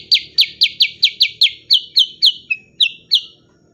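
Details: A fast string of loud, clear downslurred whistles from a black-headed bulbul, about four per second. The notes slow slightly before trailing off into silence. Faint low background noise is present.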